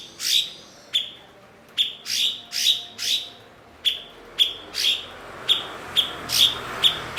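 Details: Blue-winged leafbird (cucak cungkok), a fluent mimic used as a master bird for songbird training. A steady series of sharp chips alternates with short rasping, hissy notes, about two per second throughout.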